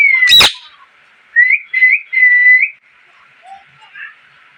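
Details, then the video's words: Chirping parrot: one loud, rasping squawk, then three short whistled notes, each rising then level. The last note is the longest. A few faint chirps follow. "Parrot Chirping Sounds"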